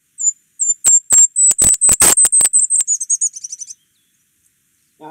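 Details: Golden-crowned Kinglet (Regulus satrapa) song, a small bird that sings from high in the canopy: very high, thin, soft notes that speed up like a bouncing ball, then drop into a brief tumbling chatter; a voice starts at the end.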